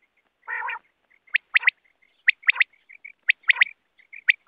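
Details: Wild quail heard as a net-hunting lure: one hoarse nasal growl, then sharp three-note whistled phrases about once a second. Soft murmuring notes run beneath them.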